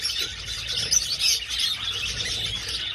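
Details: Overlapping high twittering and chirping from a flock of budgerigars flying around an old aviary, with a couple of louder sharp notes rising above the chorus.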